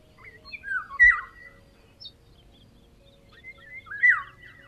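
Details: Eurasian Golden Oriole in Ukraine in summer, high in leafy treetops: two rich, fluting phrases about three seconds apart, each a liquid, slurred whistle dropping at the end, over a faint low hum.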